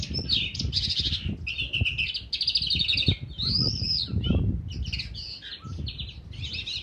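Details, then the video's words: Crested lark, kept in an outdoor aviary in February 2019, singing buzzy rattling phrases and chattering trills broken by short gaps, over low thuds and background rumble. "Джурбай запел в уличном вольере"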